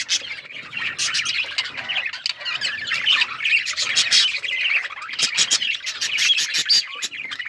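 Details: A male budgerigar warbles its mating sound, a nonstop mix of grating squawks, rapid clicks and tweets, growing busier and more rasping toward the end.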